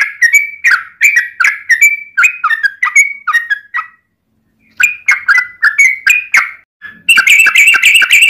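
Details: Yellow-vented bulbul in rapid 'ropel' song used to prompt other bulbuls to sing: quick runs of clipped whistled chirps, a brief silence, then more runs ending in a denser, overlapping burst of higher chatter.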